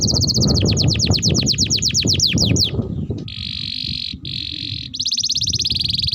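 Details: Canary training song with a fast run of descending whistles, then steady buzzy trills broken by short pauses, over noisy low rumble early on.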